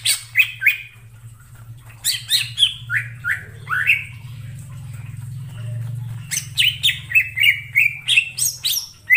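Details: Cucak ijo lure song used for trapping birds: loud, varied whistled and chattering phrases, many notes sweeping down from high pitch, delivered in rapid bursts with short pauses; a steady low hum underneath.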